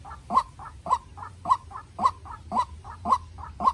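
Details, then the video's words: Young decoy White-breasted Waterhen calling against a wild bird: clean, evenly spaced harsh notes, each loud call trailed by a fainter one, around two calls per second. "Quốc Mồi Tơ Ra Trận Gặp Bổi Rừng Đấu Cực Căng"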